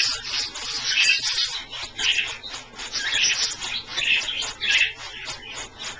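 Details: Australian parrots bathing in a pie dish kept just below lukewarm, giving steady high chatter with bright chirps roughly every second.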